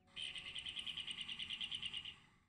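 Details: Galápagos common cactus finch song, distinct from other finch species' songs: a fast, even trill of about eighteen buzzy high notes over two seconds, each note a brief burst; otherwise quiet.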